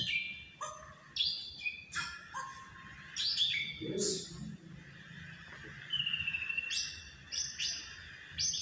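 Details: Quiet, somewhat distant singing from a pet white-rumped shama playing on a sofa, shunning its hanging cage: short high whistled notes and chips in spaced bursts, with a low muffled sound midway and background room noise.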